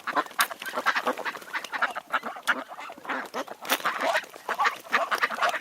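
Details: July duck chorus on Tsnyanskoe Reservoir, Minsk: many ducks and drakes quack together in harsh, clipped bursts with a few sharp, loud notes standing out.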